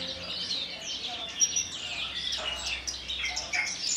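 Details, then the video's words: Kulon Progo Javan bush lark in a collection, singing quick high chirps and thin whistled slurs, some notes sweeping downward, in an unbroken flow. "KICAU DAN GAYA "BEGAWAN", BRANJANGAN TLATAH ASLI KULON PROGO"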